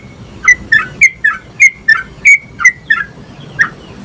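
A yellow-vented bulbul gives a lively run of about ten bubbly, chirping notes, roughly three per second, over faint background hiss.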